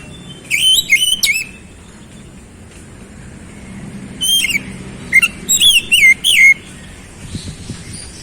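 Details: Kept oriental magpie-robin singing quick clusters of sharp whistled notes, a pause, then a second run of rising and falling whistles, with faint low background noise.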